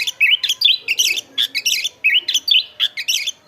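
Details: Chestnut-backed thrush (anis kembang) in vigorous song, offered as a model for training other songbirds: short whistled and trilled phrases around two to eight kilohertz, separated by brief pauses and repeated in a steady rhythm, with a faint low hum beneath.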